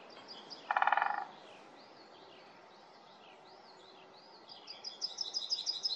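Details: Great Spotted Woodpecker in a forest, recorded 27 February 2024: a brief, very rapid rattling burst of drumming lasting about half a second, with scattered high whistled notes from other birds and a fast run of high notes at the end.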